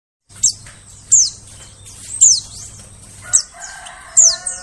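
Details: White-eye calls used as a lure to attract birds in the forest: sharp, very high notes sliding steeply downward, repeated at uneven intervals about once a second, with a low steady hum underneath and some fainter mid-pitched tones toward the end.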